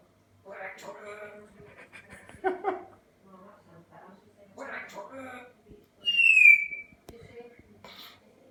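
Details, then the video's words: Parrot saying 'we hate tottenham', producing speech-like mimicked syllables in several phrases. A loud, clear falling whistle follows near the end, then a few more vocal sounds and faint clicks. "Parrot saying 'we hate tottenham'"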